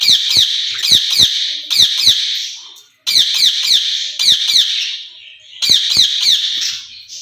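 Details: Two caged ringneck parrots calling to each other: harsh, buzzy screeches in quick bursts of three or four, with short gaps between bursts, over about seven seconds.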